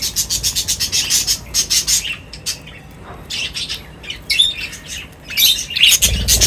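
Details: Birds at feeding time make a fast, evenly pulsed string of harsh high notes, then a quieter gap and more scattered chirps with a loud burst at the end.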